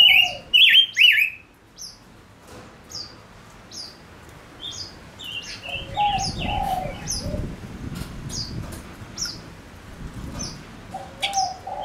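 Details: Male lure bird calling in wild birds: a burst of loud twisting whistles opens, followed by a long sequence of soft high flicks and low warbles over faint background noise.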